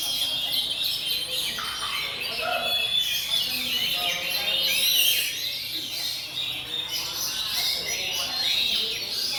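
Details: Oriental magpie-robins (kacer) at a bird singing contest at Puspa Agro, Sidoarjo, Indonesia: a dense chorus of high, rich whistled and scratchy phrases from many caged birds overlapping continuously, with faint crowd voices beneath.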